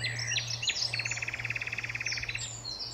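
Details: Common nightingale singing at Alners Gorse in Dorset: a few sharp high chirps and whistles, then a fast, even rattle of about two dozen clipped notes over one and a half seconds, with a steady low hum beneath.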